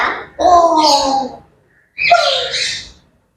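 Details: Two drawn-out grey parrot squawks, each a nasal, harmonic cry gliding gently downward with a raspy upper layer, separated by a pause of about half a second, heard at morning time.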